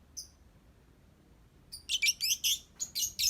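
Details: Lovebird song: a single high chirp, a silent pause, then an energetic sequence of loud, shrill, rasping chirps in quick succession.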